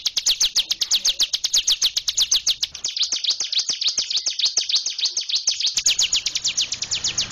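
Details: Continuous 'gacor ngebren' singing of a hill prinia: high, quick descending chips repeated in a steady rapid rattle, the rhythm loosening briefly into softer notes before resuming at full strength; background otherwise quiet.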